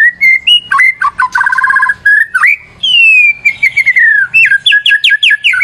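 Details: Loud white-rumped shama song for luring: clear whistles, a buzzy rattling passage, a long descending whistle and rapid repeated chipping notes at the end.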